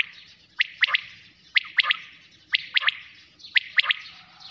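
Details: Quail at night giving a steady series of clipped three-note calls, each triplet sharp and high, repeated about once per second across the recording.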